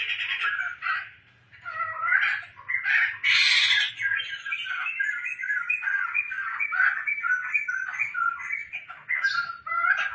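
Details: Tame, actively singing laughingthrush kept as a household bird: long flowing run of quick whistled and chattering notes, rising and falling, with a harsher burst early on and no long gaps.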